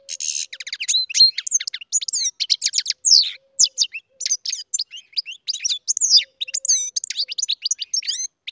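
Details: Loud song of a captive-bred goldfinch, a continuous tumbling stream of liquid twitters, sweeping chirps and brief buzzy notes, delivered fast and without pauses.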